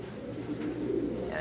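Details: Racing pigeons in summer breeding preparation giving deep, throaty coos that swell toward the middle. A faint higher sound appears at the end.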